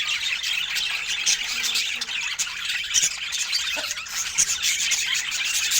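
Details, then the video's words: Budgerigars kept as pets, eating fresh fruit, fill the air with steady, busy, high-pitched chatter and scratchy squawks, with brief sharp clicks in between. "Cute Budgie Love and Funny Sweet Sounds During Fresh Fruit Food Time"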